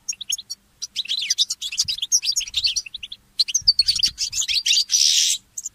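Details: Early-morning song of a mule goldfinch hybrid: quick bright chirps and warbled twitters run together in long busy phrases, ending in a loud harsh buzzy rasp, over faint low knocking.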